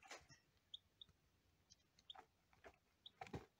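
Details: Lavender Ameraucana chicks, one day old, with scattered brief high peeps about every second, mixed with knocks and handling noise in a quiet room.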